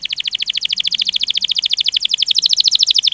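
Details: Canary in rolling ngerol gacor style, producing one sustained, very fast trill of evenly repeated notes with a steady pitch throughout.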